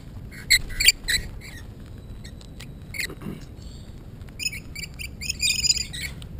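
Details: Tame Rainbow Lorikeets on the New South Wales South Coast, Australia, hopping onto a person's arms and hands, recorded on a GoPro mini camera: harsh, buzzy high squawks in short bursts, denser chattering near the end, with a man coaxing them.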